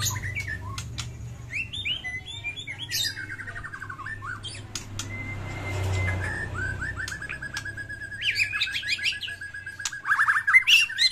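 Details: White-rumped shama in fighting mood giving a varied song meant to prompt silent birds: falling trilled phrases, a long level whistle, scattered sharp clicks, and a dense chattering burst at the end, over a low rumble.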